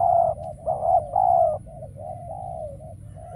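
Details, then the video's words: Decoy spotted dove calling in a dove trap, luring scarce wild birds. A few strong hollow coos followed by softer, trailing lower notes fading out. "Bẫy Chim Cu Gáy , Cu Gáy Bổi Giờ Hiếm Quá Mồi Kêu Vậy Mà Chả Thấy"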